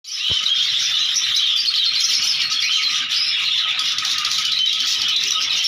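A flock of cockatiels chatters without pause in a dense, rattling wash of shrill chirps.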